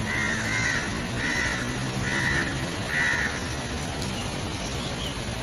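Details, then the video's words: Greater racket-tailed drongo calling: four short, slightly nasal notes near the same pitch, repeated about once a second, over a steady hiss of background noise. "Greater racket tailed drongo (Dicrurus paradiseus) | sound | call | song"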